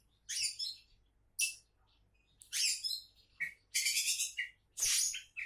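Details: Champion-candidate Oriental magpie-robin giving loud buzzy, rasping phrases about once a second, with brief clear whistles slipped between the harsher bursts.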